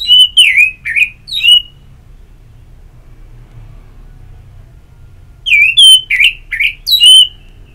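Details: Orange-headed thrush singing in two bursts of loud, slurred whistled phrases that dip and rise, each phrase under half a second, separated by a few seconds of near silence. Used as therapy audio to stimulate a bird to sing.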